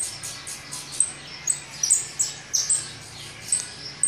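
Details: Begging saffron finch chicks fed in their nest, quick hoarse high chirps mixed with repeated piercing squeaks that come in uneven bursts every half second or so, with a faint hum behind.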